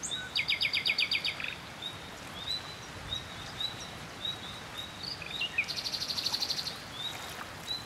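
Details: Common nightingale singing from a tree near water: a fast, loud series of repeated metallic notes, a quieter pause with scattered thin whistles, then another rapid run of repeated notes, over a soft background hiss.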